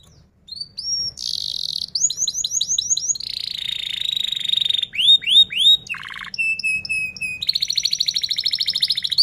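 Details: Canary singing continuously to prompt young or mute canaries to learn to sing, in a chatty rolling style: high whistled notes, a buzzy trill, fast runs of down-slurred chips, a low rolling trill, then pure whistles and a rapid trill.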